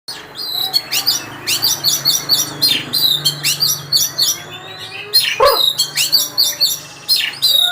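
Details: Oriental magpie-robin, a first-place contest winner, singing a dense run of bright, high whistled and chattering phrases in quick bursts, with a brief harsh broadband note near the end.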